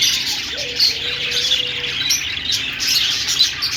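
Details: Budgerigars chirping: a rapid, shrill, continuous warble of tiny squeaks and clicks, with one short rising low note followed by a level hum early on.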